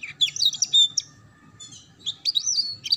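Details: Young-canary training song meant to teach ngeriwik notes: bright whistled slurs and short chirps, a brief gap, then looping rising-falling whistles.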